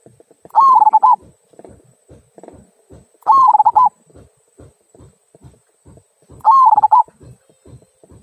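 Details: Zebra dove singing kung-style phrases, used to prompt other birds to sing: three short, trilled, warbling coos spaced about three seconds apart, with quiet ticking sounds in between.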